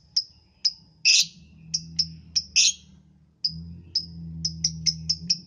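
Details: Lovebird singing in the morning, used to prompt other lovebirds to sing: sharp high chirps repeated at irregular intervals, some harsher buzzy notes, over a steady low hum.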